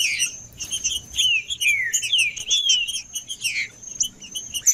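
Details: Green-winged saltator singing to warm up, with long smooth falling whistles linked into a flowing phrase, sprinkled with short high chips and a faint persistent whine.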